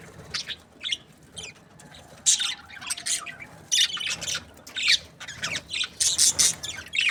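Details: Happy budgerigar breeding pair producing separated short bursts of high, scratchy squawking chirps, sparse at first and then coming closer together toward the end.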